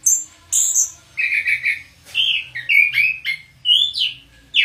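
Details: Orange-headed thrush, a house bird kept for calm: rich loud song of varied whistled phrases, some high and slurred, others buzzy and warbling, following each other with short pauses.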